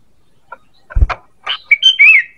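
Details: ['Sooty-headed bulbul call used for luring birds: a thump and scratchy noises, then a whistled phrase of rising and falling liquid notes.']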